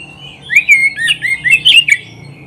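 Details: Oriental magpie-robin song from a recording used to train pet birds to sing: a loud, clear run of whistled, sliding phrases, rising and falling, delivered in quick bursts over about two seconds.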